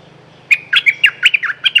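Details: Short, lively burst from a Streak-eared bulbul, presented as a territory-holding bird whose song serves as a lure: around ten rapid, gurgling chirps with quick pitch jumps, delivered in just over a second.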